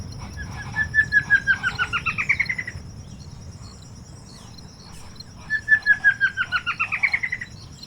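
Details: Plain Antvireo (Dysithamnus mentalis) in Andean forest understory in Colombia, caring for its chicks: two bouncing series of a dozen-plus clear notes climbing in pitch and quickening, over a steady high insect whine and low forest rumble.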